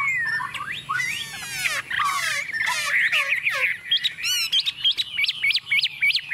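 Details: Chinese hwamei, a tame bird singing confidently on a table: buzzy, rasping strokes and downslurred whistles give way to a run of crisp, repeated whistled notes rising and falling in quick succession.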